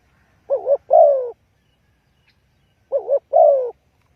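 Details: A spotted dove gives its call as a lure for trapping. Two neat phrases each pair short dipping notes with a longer downward coo, about two and a half seconds apart, in near silence.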